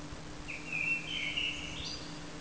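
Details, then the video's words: A common blackbird sings one fluty, mid-pitched phrase of about one and a half seconds ending in a higher, thinner flourish, over a low steady hum. "Feketerigó énekel"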